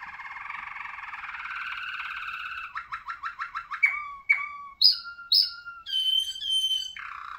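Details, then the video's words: Malinois Waterslager song canary: a long, rich, buzzy rolling trill at first, then a quick series of short repeated notes, and finally clear whistled phrases. Some notes slide downward and some are high and pure. No other sounds. "Canario de canto Malinois Waterslager"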